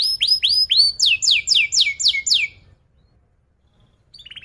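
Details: Canary 'cuit cuit' phrase used for training young birds: a series of loud down-slurred chirps, each repeated about four times a second, then silence and a faint soft trill.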